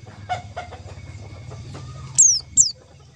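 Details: White-eye call for luring the birds into traps: two bright, high downslurred notes near the end, following soft scattered chirps over a constant low hum.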